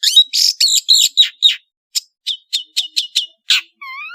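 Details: Long-tailed shrike from Madura, in full song. Loud harsh buzzy notes are followed by a quicker series of short sharp chips, then a soft rising whistled phrase at the end.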